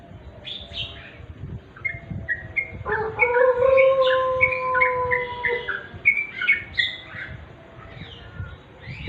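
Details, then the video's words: Yellow-vented bulbul singing naturally in dim twilight: bright, bubbling, slurred whistled notes in quick, uneven phrases. A long, steady, low droning tone runs through the middle seconds beneath the song. "remang² trucuk.suara asli.."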